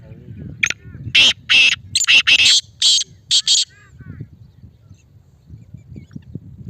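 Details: Male black francolin (kala teetar) from Islamabad, a loud, strong call used to prompt silent captive francolins to call: a harsh, grating run of about seven rapid buzzy notes over three seconds, then quiet with faint low background rumble.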